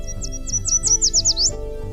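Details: Yellow warbler song: about nine bright, high, slurred notes that quicken and grow louder toward the end, over soft background music.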